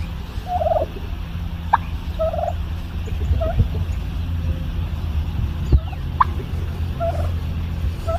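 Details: A female domestic turkey at home gives faint bubble popping noises: scattered soft, short mid-pitched notes and occasional sharp clicks, spaced a second or so apart, largely masked by a steady low rumble.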